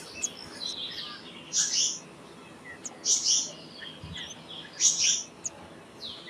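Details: Black-naped monarch uttering harsh, scratchy high double notes roughly every one and a half seconds, over a soft hiss with weaker chirps from other birds.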